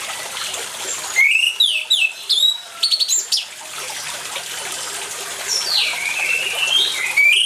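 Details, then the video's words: Orange-headed thrush singing over running water, used as a lure to get silent birds singing: rushing water throughout, broken by two bursts of bright whistled and rattling notes, the second a long sweeping whistle dipping and rising. "ANIS MERAH GACOR DENGAN SUARA AIR, PANCINGAN ANIS MERAH MACET CEPAT BUNYI"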